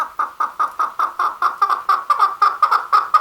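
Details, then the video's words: Male chukar giving a fast, steady run of harsh chuck notes, about sixteen in three seconds, each a clipped clucking burst, with no other sounds. "Chakor Sound | The Best Voice of Chakor/ Chukar | Male Chakor ki Awaz"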